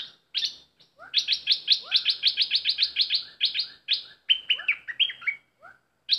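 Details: Caged decoy bulbul used for bird luring, singing vigorously: a fast run of about twenty buzzy, harsh notes at a steady pace, with short rising slurs and a few fluty descending phrases near the end.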